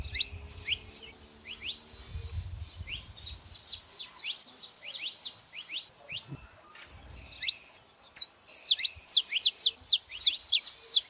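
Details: Saffron finches, a female and a male, singing: many sharp high chirps and descending notes, building into a fast, steady run of loud downward-sweeping notes near the end; soft low rumbles in the background.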